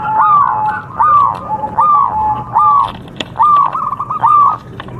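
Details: Local zebra dove from Java, kept for song contests, delivering slower, drawn-out rising-and-falling coos about once a second, with quieter doves calling behind.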